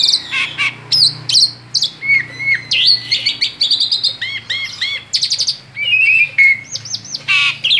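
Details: A male Asian pied starling sings outside its cage, pouring out a rolling song of squeaky whistles, clear rising and falling slurs, harsh creaks and repeated ringing notes, barely pausing for almost eight seconds.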